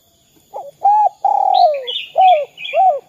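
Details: Spotted dove calling in the 'kuk 2' style, used to prompt other doves to call: short hollow coos, then a long coo sliding downward, then two more short coos. Higher chirps from another bird overlap.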